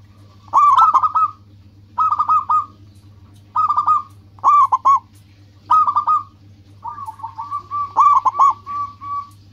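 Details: Local zebra dove in full song, used to provoke rivals into replying: six short phrases of chopped, bubbling coos at a steady pitch about every one and a half seconds, the last one longer and trailing off.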